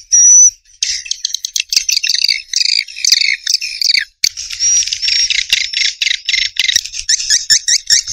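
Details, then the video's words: Swiftlet calls: dense bursts of high, buzzy chirps and twittering, some with brief whistled notes, broken by short pauses near the start and around the fourth second. "SUARA WALET MAXIMUM ORIGINAL"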